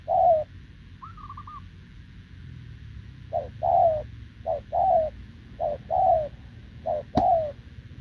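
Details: Wild-caught short-legged spotted dove cooing continuously alongside a decoy bird, recorded 6 November 2024: a single low coo, a pause, then a run of short-then-long paired coos, with one higher wavering note early on.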